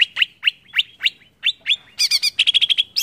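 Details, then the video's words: Provocative Greater green leafbird song: sharp rising upslurred notes spaced evenly, then a fast burst of bright chattering notes and a quick series of high clipped whistles. "BIKIN CUCAK IJO MANAPUN TERPANCING EMOSI"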